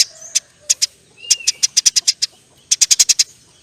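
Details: Eurasian tree sparrow singing energetically in the long nyerecet chirping style; scattered single high chirps lead into a quick run of about eight sharp notes, then a short pause and another tight run of chirps.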